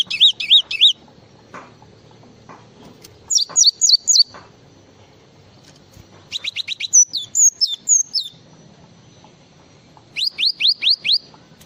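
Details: Java sparrow delivering repeated phrases of rapid, high, twisting chirps, four or five per phrase, spaced by short pauses, with quiet low hum between.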